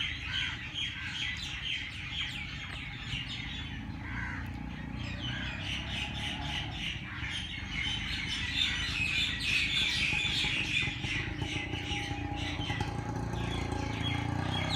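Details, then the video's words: Dawn chorus at Lahore's Race Course Jilani Park. Harsh squawks and rapid chattering notes from many birds repeat quickly and grow louder, over a constant low rumble. "Birds sounds Chirping at race Cource Jilani Park Lahore صبح سویرے پرندوں کی پیار بھری باتیں"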